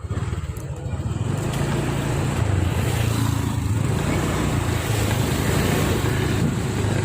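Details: Loud, low rumbling traffic or engine noise dominates throughout, with no bird song audible above it.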